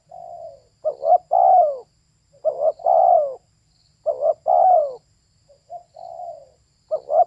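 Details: Female spotted dove giving repeated mellow coo phrases. Each phrase is a brief stuttered two-part note and then a drawn-out coo that falls in pitch. Four phrases are heard, with soft lone coos between them and nothing else audible.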